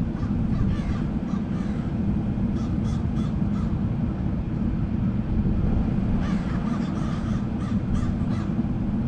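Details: A murder of crows calling, with rough harsh caws in loose bursts of several notes, some faint and distant, over a steady low rumble like traffic or wind.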